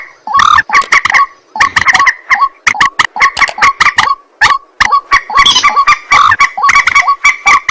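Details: White-breasted waterhen calling at night in a long, rapid series of rasping croaks and nasal grunts, nearly unbroken, with occasional louder squawking notes.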